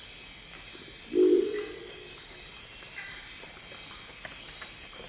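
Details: One low, throaty, frog-like croak from a Crested Owl in Amazonian Ecuador, roughly half a second long, rising from a steady background of high-pitched insect buzzing in the tropical forest.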